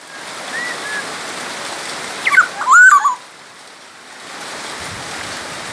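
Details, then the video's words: Black-naped oriole from Sumbawa, singing energetically as a model for other songbirds: a brief burst of fluty, looping whistled notes in the middle, with steady background hiss. "kepodang emas gacor | suara burung kepodang emas gacor asli sumbawa masteran kepodang emas"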